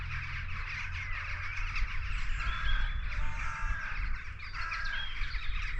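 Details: Rook cawing beside the River Stour near Sturminster Newton, Dorset, on an early spring walk at what may be a rookery; harsh, scattered caws sit over a heavy low rumble of wind and movement.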